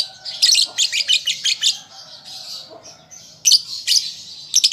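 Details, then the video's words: A juvenile lovebird practising its song gives a rapid run of shrill, buzzy chirps, pauses for about a second and a half, then resumes with loud squeaky bursts. "Pancingan Lovebird Paud Belajar Bunyi Ampuh Langsung Nyaut"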